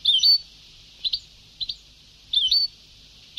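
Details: European goldfinch singing in the old Sebtaoui style: a liquid hooked twitter, paired short chips, then another twitter, all high-pitched over tape hiss.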